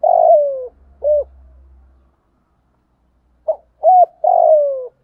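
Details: Lure spotted dove with a giọng thổ voice giving thúc gù cooing: a long vibrating coo sliding downward and a hooked note, then after a pause a clipped note, a hooked coo and another long descending coo.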